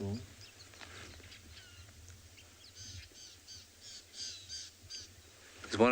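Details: Rattling Cisticola alarm call, possibly at a slender mongoose, on a sunrise safari on 6 July 2020 at Tswalu Kalahari Reserve, South Africa. It gives a run of harsh, scratchy rattling notes in quick succession, with a man talking at start and end.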